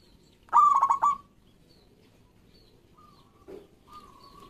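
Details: Local zebra dove song used as a lure to get quiet doves singing: one loud burst of stuttered, pulsed coos near one pitch lasting about half a second, then fainter drawn-out coos from other doves.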